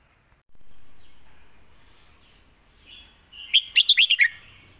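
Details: Red-whiskered bulbul, 'lak wai' style master song. A soft drawn-out sound comes first, then a short buzzy note and a bright run of six rapid, bubbly whistles.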